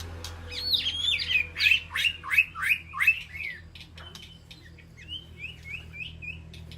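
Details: Aviary White-rumped shama calling to its flock: whistled intro, then a rapid run of about six sharp downslurred notes, followed by a softer series of short rising whistles.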